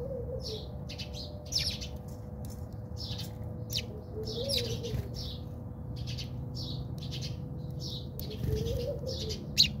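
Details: Squabbling house sparrows in a South African backyard give quick, sharp chirps in clusters, some louder and harsher, with a constant low rumble and a thin steady tone underneath.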